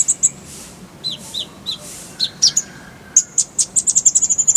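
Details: Van Hasselt's sunbird (kolibri ninja) rolling shots in clear voice: scattered high chirps and slurred notes, then an accelerating run of very high ticks toward the end.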